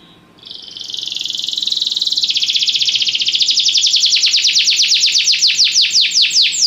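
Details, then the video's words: Belgian canary singing for training: a continuous high trill that swells in volume and slowly opens into distinct falling whistled sweeps, repeated about two to three per second. "canário belga cantando mais espectacular! treinamento canario belga"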